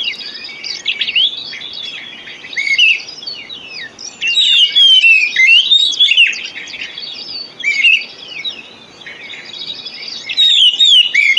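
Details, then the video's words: Oriental magpie-robin singing in a lure recording meant to get lazy or silent birds singing. Repeated bursts of varied whistles, sliding notes and harsh chirps, with quieter gaps between phrases. "Pancingan Kacer Full 1 Jam Untuk Terapi Kacer Macet Bunyi,Kacer Lemot,Kacer Bahan"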